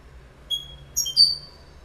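A goldfinch gives three quick, high, clear notes, the last a bright slurred whistle, over a faint low hum.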